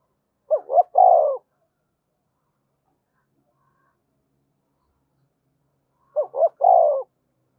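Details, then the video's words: Spotted dove uttering the 'thúc gù' urging coo meant to stimulate caged doves and train decoys: two identical phrases about five and a half seconds apart, each two brief notes then a drawn coo, silence between. "Tiếng cu gáy thúc gù dùng kích bổi và tập mồi hiệu quả và gáy sung mãn mỗi ngày"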